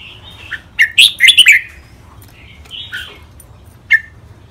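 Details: Thai caged red-whiskered bulbul in song training, styles 'rik', 'bernl', 'lak wai', 'mae bot', 'nap dok': a soft lead-in, a loud rapid cluster of sharp whistled notes, quieter warbles, then one lone clear note.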